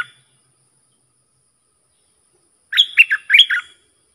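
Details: Bulbul singing a phrase meant for teaching young birds and luring wild birds. After a long silence comes one burst of five or six rapid, liquid, whistled notes that rise and fall.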